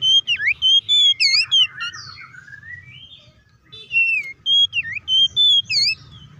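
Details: Oriental magpie-robin song used to provoke other magpie-robins to sing: loud clear whistles with deep V-shaped swoops, a softer rising warble in the middle, then another burst of bright, rapidly repeated whistled phrases.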